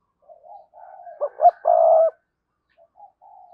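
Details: Decoy spotted dove cooing to stir other doves into calling. Soft wavering lead-in notes, two short sharp rising notes, then a strong, drawn-out coo, trailing off into quiet murmurs.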